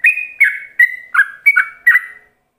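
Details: Yellow-vented bulbul ropelan song used to train other bulbuls: six evenly spaced, warbled whistle notes, each a short slur stepping between high and lower tones, ending cleanly in silence.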